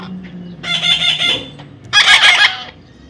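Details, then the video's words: Baby parrot under taming gives two noisy, rasping squawks about a second apart over a low background rumble. "natural funny parrot sound"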